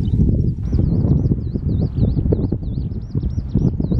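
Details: A skylark's song at the Tama River: a long, unbroken run of high, wavering whistled notes, each rising and falling in quick succession, over heavy low wind buffeting.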